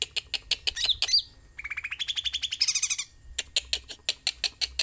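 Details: Sooty-headed bulbul singing energetically: dry, rapid ticking notes open the phrase, followed by a quick rising trill and a burst of high, squeaky twitters, then a return to regular sharp clicks.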